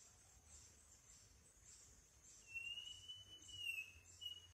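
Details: A banded male northern schiffornis calling on the Osa Peninsula, Costa Rica: a clear, drawn-out whistle that rises slightly, dips and ends in a brief upslurred note, over a steady hiss of insects.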